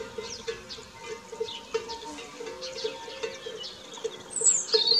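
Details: Nestling song thrushes, thought to be three, fed by the female at a garden nest; a loud, shrill squealing burst sweeping downward erupts near the end, after quieter faint chirps and a persistent pulsing low hum.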